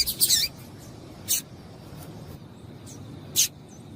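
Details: Female double-collared seedeater calling to stimulate a male: three short, sharp, high chirps, one near the start and two spaced about a second or two apart, over faint low background hiss.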